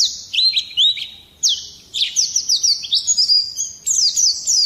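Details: High, thin Oriental white-eye song, loud and rolling, meant to trigger other birds to sing: long drawn whistled notes and swooping slurs, then a fast run of sharp descending chirps and twittering.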